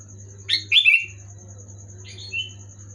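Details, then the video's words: Sooty-headed bulbul (kutilang) giving loud gacor song to get silent birds singing: a sharp burst of three bubbly whistled notes, then after a pause a soft two-note phrase, with a background hum and high whine. "Suara burung kutilang gacor keras jelas bikin kutilang omyokan macet malas bunyi auto bunyi gacor"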